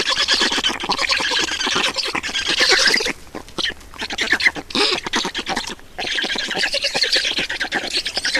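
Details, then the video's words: Black storks at the nest in Estonia as food arrives, 2019: loud rasping squawks and grating chatter, with a quieter stretch midway before the noisy calling returns. "Estonian Black Storks - Feeding"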